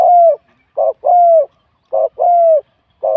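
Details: A wild-caught spotted dove with a medium-to-large competition voice. Long, smooth, slightly falling coos alternate with short burry notes in a steady, even rhythm against a clean, quiet background.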